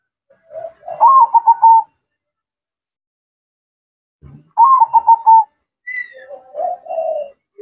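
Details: Actively singing zebra dove giving two bursts of rolling, trilled coos about three seconds apart, each starting with a slight rise, then a softer trailing coo with a faint higher chirp.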